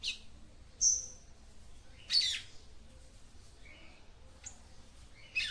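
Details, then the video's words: A female papa-capim seedeater calls to excite the male: a bright high whistled chirp, a harsh raspy note, then softer short notes, over low steady background noise. "CANTO DE FÊMEA PAPA CAPIM PARA ESQUENTAR SEU MACHO"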